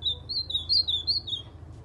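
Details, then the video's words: Kept white-throated seedeater singing an ultramarine grosbeak-style song: a quick run of about six clear, high, wavering whistled notes that slide up and down and sound slightly rolled, against a faint low hum. "Golinha cantando AZULÃO"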